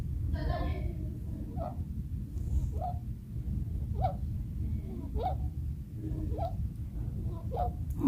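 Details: A female Bourke's parakeet, sick since early in the year, makes wheezing, audible breathing noises of unknown cause in August 2022: faint, squeaky breaths about once a second over a low indoor rumble.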